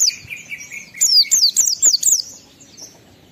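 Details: Oriental white-eye, song to trigger emotion and breeding urge in other white-eyes; faint lower warbling, then a quick run of about six high, sharp, down-slurred chirps, fading to soft whistles.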